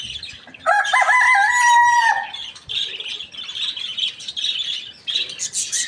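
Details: Rooster crowing outdoors in the morning while roosters and hens feed: one loud, harmonic cock-a-doodle-doo of about one and a half seconds, then a dense background chatter of many small birds chirping.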